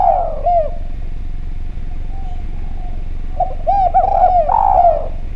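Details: Spotted dove, Javanese type, in a lure recording: a falling coo and short note, a quiet gap, then a lively string of arched coos and a long descending coo, low hum underneath.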